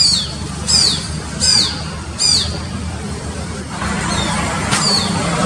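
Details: A wild Shikra calls from a high tree beside a busy road in Mysore, recorded on a mobile phone. Sharp, high, downslurred notes repeat about every 0.7 seconds, then fade to fainter ones, over steady traffic rumble.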